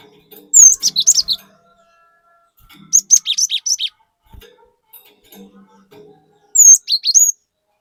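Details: Cinereous tit in lively 'gacor' song: three separated bursts of piercing high notes, with rapid repeated slurs in the middle burst and a whistle dropping into sharp notes at the end. Faint low clicks sound between the phrases.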